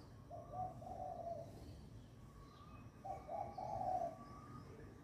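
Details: Dove cooing to welcome the new day of the year, birds calling near one another: two gentle coo phrases a couple of seconds apart, each a few rounded notes, with quiet background.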